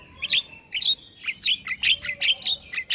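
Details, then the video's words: Javan myna chirping used as a lure for mynas that have gone silent or are stressed. Sharp, bright notes repeat about every half-second in a steady series over faint thin whistles. "PAncingan Burung Jalak Macet Bunyi / Jalak Stres / Jalak Pikatan"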